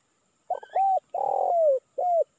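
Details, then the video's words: Indonesian spotted dove calling to entice wild doves: stuttered short notes lead into a steady coo, then a drawn-out, rough, gently falling coo and a clear closing note. "Suara Pikat Tekukur Memanggil Burung Liar"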